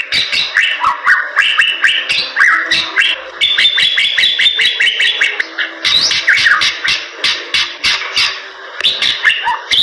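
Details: Bali myna song: long stretches of fast repeated clicks under rolling whistled phrases that rise and fall, with a short pause near the middle.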